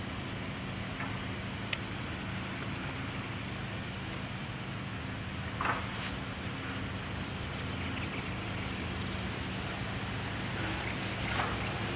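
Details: A steady low rumble and hum like a distant engine fills the whole stretch, with wind noise and a few faint clicks but no clear animal calls.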